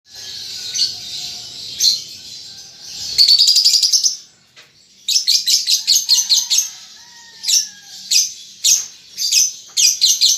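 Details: Young lovebird, a fledgling still learning to chatter, giving a long buzzy high chattering run, then rapid clipped chip bursts in quick series, with short sharp bright notes between.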